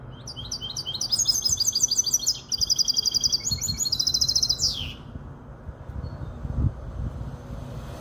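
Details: Five-month-old goldfinch hybrid from Casablanca sings fast, high, twittering trills for about five seconds, ending in a descending slurred note, then falls quiet with low background rumble.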